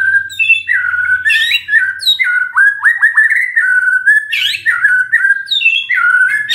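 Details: Magpie-robin song used as a lure to make a silent bird answer: continuous loud whistled warbling with quick upslurred notes, bright squeaky bursts and varied phrases throughout.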